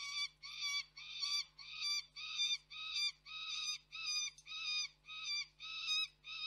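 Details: Peregrine falcon juvenile screaming out of view at Koksik in Reda, 3 July 2024. Rasping, nasal screams repeat almost twice per second in an unbroken run, each with a rough, buzzy edge.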